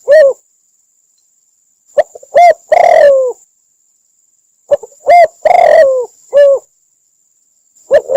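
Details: Spotted dove cooing, from Cambodia and used as a trapping lure: a short soft phrase of low coos with one longer, falling croon, repeated about every two and a half seconds. Quiet gaps separate the phrases, over a thin steady high whine.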